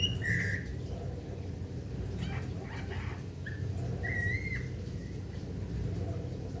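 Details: Golden myna from Papua, described as a rare bird, giving short clear whistled notes with a few brief harsher squawks in between. Steady low hum and background noise run underneath.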